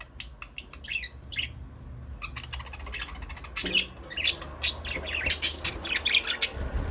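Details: Budgies chatter continuously with scratchy chirps, rapid clicking trills and higher squeaky notes, growing busier in the second half.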